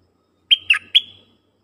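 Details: Short phrase by a decoy dok taeng bird calling wild birds: three clear whistles, the middle one dipping lower, ending in a thin trailing tone, with no other sounds.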